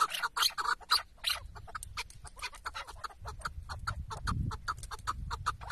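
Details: Chukar partridge tied out as a hunting decoy in Şırnak, Turkey, uttering a fast run of sharp, clipped chuck notes, louder at first then steadier, with faint low rumbling in the background.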